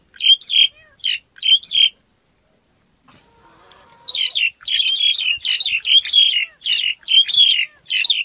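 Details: Black-collared starling with a few scratchy squeaks, a short quiet gap, then a steady string of loud, rasping, metallic notes repeated almost every second.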